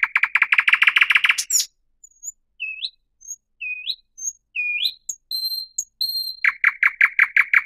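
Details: Thrush nightingale song opening with a dense buzzy rattle, then a pause and a series of rising whistled notes and thin high pure tones, ending in a fast, dry, repeated clicking burst.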